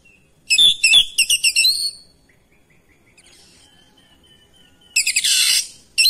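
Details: Oriental magpie-robin answering another of its kind, singing persistently and showing off its repertoire: a rapid run of sharp, high whistled and chattering notes for about a second and a half, a long pause, then a harsh, buzzy rasping burst.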